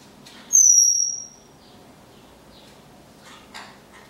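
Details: Chloe, a handicapped blue-mutation Pacific parrotlet, gives one thin, very high, slightly falling note of about half a second, then faint clicks and rustles while getting a light back massage that seems to help her back.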